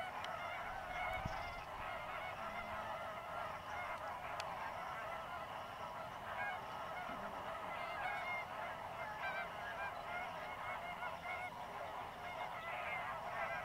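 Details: Large flock of greater flamingos chattering non-stop while fishing in Mannar Island lagoons, Sri Lanka, during the dry-season migration: overlapping nasal honks form a constant murmur, with occasional louder single calls and faint wing sounds.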